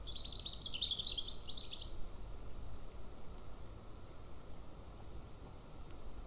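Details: A golden eagle at a nest near a military training ground in Estonia, 11 July 2024 at 15:53, gives a quick run of thin, high chirping calls for about two seconds, then only a steady low rumble of wind and background noise.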